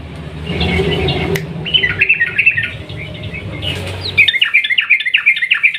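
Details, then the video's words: Sooty-headed bulbul song in 'ropel panjang' style used to stir quiet birds: a soft, busy warble that builds into a loud, fast, evenly pulsed trill of bright chirps, with low rumbling noise early on. "trucukan gacor ROPEL PANJANG pancingan burung trucuk yang macet bunyi agar ikut bunyi"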